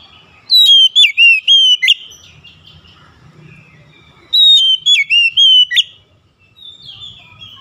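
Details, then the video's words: Oriental magpie-robin singing, offered as quick recovery therapy for a stressed bird: two loud bursts of clear, high whistled notes, each about five slurred, wavering notes over a second and a half, separated by a quiet pause with a faint low rumble. "TERAPI CEPAT PEMULIHAN KACER SETRES LANGSUNG GACOR"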